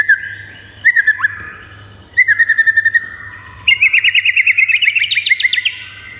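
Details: White-rumped shama singing, used to provoke caged shamas into singing: two brief rattled trills about a second apart, then a longer, higher, buzzier trill that climbs slightly in pitch, over a faint low hum.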